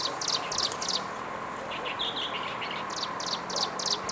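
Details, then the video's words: Striped prinia (Prinia striata) in Jianshi Township, Hsinchu, Taiwan, on 11 April 2023, giving dry, buzzy high notes in quick clusters of three or four, with a pause midway, over a steady low hum. "The Striped prinia'call, 斑紋鷦鶯叫聲"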